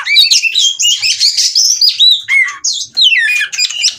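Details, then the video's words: Oriental magpie-robin in breeding condition, eager to mate, singing a loud, rapid run of varied whistled and chattering phrases that jump between high and mid pitches. Notes pour out almost without pause, with brief rasping bursts mixed in. "Kacer Minta Kawin"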